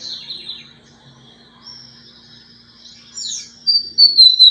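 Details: Lined seedeater singing a lot: high thin whistled notes drift slightly downward, with a quiet gap in the middle, then a louder sharp whistle that slurs down near the end.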